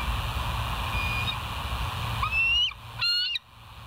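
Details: Bald eagle at the West End nest on a live nature cam, 19 September 2023 at 06:52; after a faint thin note, shrill high whistled calls come near the end, a sliding squeal and then a short stuttering burst, over steady background hiss.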